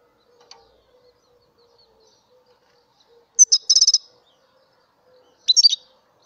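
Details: Mutation European goldfinch singing: after near silence, two bursts of high, rapid twittering trills, the first a quick run of about seven sharp notes, the second shorter, with a faint steady hum underneath.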